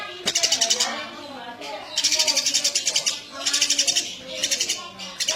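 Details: Eurasian tree sparrow delivering repeated bursts of rapid, sharp, high chirps, each burst roughly a second long with short pauses, over a low murmuring background.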